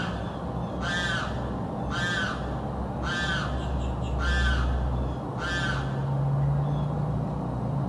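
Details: Unidentified bird in South Florida that screams day and night without stopping: five loud, harsh, arched squalls about one second apart over steady low background rumble.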